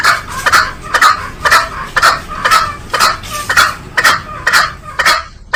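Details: Green junglefowl calling repeatedly with abrupt, husky, nasal notes spaced about half a second apart, about eleven in a row, fairly regular and loud.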